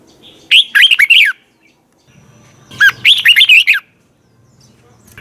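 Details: Caged red-whiskered bulbul kept for morning song training, two lively phrases of rapid twisting whistled notes about two seconds apart, with a low hum in the background.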